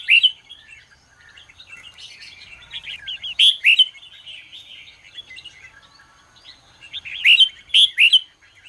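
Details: Red-whiskered bulbul morning song for training competition singing: bursts of loud whistled notes in quick pairs at the start, middle and near the end, over continuous busy twittering.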